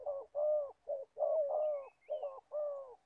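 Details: Spotted dove, an old decoy bird used for trapping wild doves in Gia Lai, Vietnam, giving low hoarse coos in paired short-then-long notes, with a faint higher chirp from another bird partway through.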